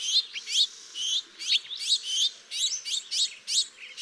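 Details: A fledgling House Finch begs with buzzy, rising "zwir" notes, about two or three a second, high and insistent, very similar to adult call notes; no other sounds.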